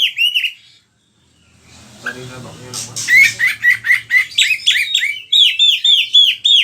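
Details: Kacer, or oriental magpie-robin, singing as a lure for other birds: one whistled phrase, a short pause with a faint low murmur, then a fast series of repeated downslurred whistles, about four each second.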